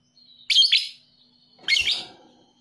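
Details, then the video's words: Lovebird sounds in the 'paud emosi' lure style, meant to stir lazy, quiet lovebirds into singing: two harsh, high chirping bursts, the first tight and fluttering, the second longer and rougher, over a silent background. "PANCINGAN LOVEBIRD PAUD EMOSI"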